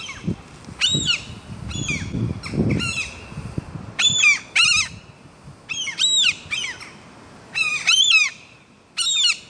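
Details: Gulls with chicks nesting on a five-storey building's rooftop exhaust pipe; clear, sharply arched yelping calls in separated bursts every second or two, with faint low rumbling and rustling beneath.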